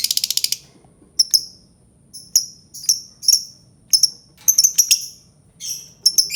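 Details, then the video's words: An albino lovebird opens with a fast, shrill rattle, then gives sharp, piercing high chirps, singly and in quick pairs, about every half second. "Suara Burung Lovebird Albino"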